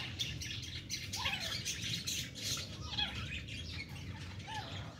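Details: A female francolin fights with chicks. Scratchy high chirps and short falling notes are repeated irregularly over a low background hum.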